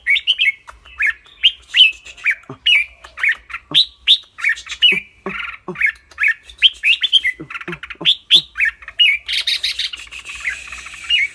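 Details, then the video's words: Caged red-whiskered bulbul with a clear voice, singing and chattering rik-rik. Bright, warbled whistled notes pour out in quick succession for over eleven seconds. A harsher, noisier burst comes near the end, with a few low thuds between notes. "นกกรงหัวจุก เจ้าขวัญโชค เสียงใส ๆ ทั้งร้องทั้งริกๆสะใจๆครับ"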